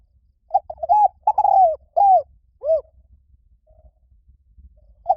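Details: Spotted dove cooing: a quick stutter of short notes, then longer arched, falling coos, a brief pause and one more coo at the end, over a faint low rumble in otherwise quiet surroundings.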